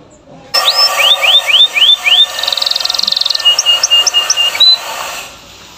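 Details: Canary training song for young birds: rising whistled sweeps repeated five times, a fast buzzy trill, then short high notes and level whistles, over steady background hiss.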